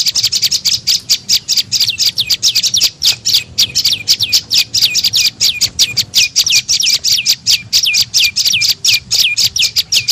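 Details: Prenjak lumut (tailorbird) lure call aimed at attracting birds: an unbroken rapid series of sharp, high, falling chirps, energetic and evenly loud throughout.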